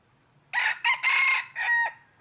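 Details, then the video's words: Decoy red junglefowl used for trapping gives one crisp crow: a harsh opening note, a quick second syllable, a longer third, and a clear held final tone, over a soft low hum. "Tiếng Gà Rừng Mồi Gáy Cực Hay"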